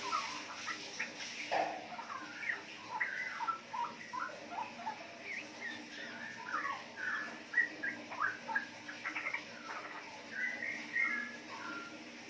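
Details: Captive juvenile Straw-headed Bulbul, a four-month-old DNA-confirmed female from wild-type parents, Yogyakarta, Indonesia, twittering in riwik style: many short warbling notes with occasional longer whistled slurs, continuing for about twelve seconds.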